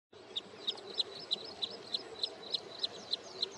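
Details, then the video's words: Wood sandpiper at Hoskote Lake on the outskirts of Bangalore, Karnataka, on its wintering grounds near return migration, calling with single high, sharp notes repeated about three times a second, eleven in a steady row over a faint low background hum. "Wood Sandpiper Calling and Singing"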